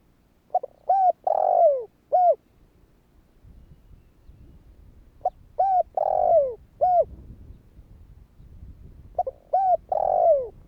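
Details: Kích bổi calling by a spotted dove to prompt rival doves to call: three phrases about four seconds apart, each with brief notes, level coos and a drawn-out descending coo. A low rumble sits underneath.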